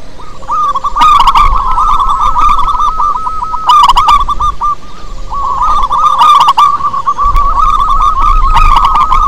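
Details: Rolling song of a local wild-type zebra dove played as a lure: long bursts of fast, hooked cooing notes with a short pause near the middle, sharp click clusters, and a faint steady tone beneath.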